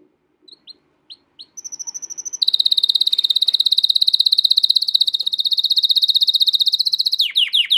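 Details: American Singer canary training song: a few short separate chirps, then a fast, even, high rolling trill held for several seconds, ending in a quick run of sharply downslurred notes.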